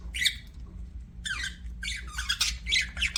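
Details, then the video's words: Short run of budgerigar squawks and chirps: a single squeaky note, a pause, then rising bursts of rapid scratchy chatter, with a low hum in the background. "BUDGIES CHIRPING SOUND"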